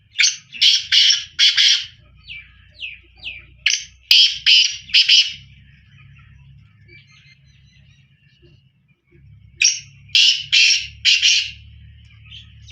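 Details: Black francolin calling repeatedly: three phrases of four or five loud grating notes, with short thin notes in between, a quiet gap, and a steady low hum beneath.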